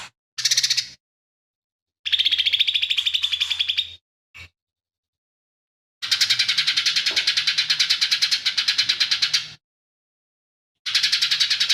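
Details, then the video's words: Lively lesser green leafbird, kept as a tutor bird, singing mimicry-filled song in long harsh rattling phrases of fast rasping pulses lasting up to three seconds, separated by pauses, with a faint constant low hum beneath. "CUCAK IJO MINI GACOR"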